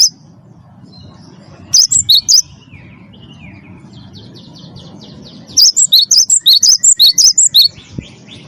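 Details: Cinereous tit in energetic lure song meant to set other birds singing. A short burst of shrill, high whistled notes, a quiet gap with faint lower chirps, then a longer run of about a dozen quick piercing whistles.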